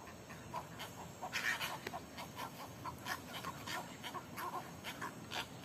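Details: Cattle egrets arriving at dusk to roost in eucalyptus trees at Lago Artificial, Corona, Panama, squabble over perches. Their short, harsh, croaking rasps overlap in a steady chatter over a constant background hiss.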